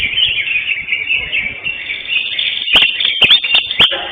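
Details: Winning greater green leafbird in a singing competition, Kopdar Mahesa Jenar session 5, 11 October 2025; rapid, squeaky warbled notes run continuously, followed by several loud sharp clicks in the last second and a half.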